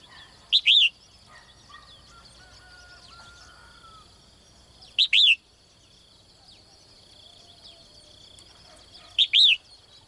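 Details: Caged female bird calling each morning to draw a strong male, giving three bright high double chirps spaced roughly four seconds apart, with quiet background hum and a soft faint whistle between.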